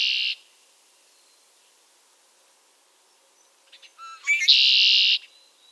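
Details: A male Red-winged Blackbird sings in a southern Maine backyard in late March, a herald of spring: a few short, clipped introductory notes, then a harsh, buzzy trill nearly a second long, the conk-la-ree, in otherwise quiet surroundings.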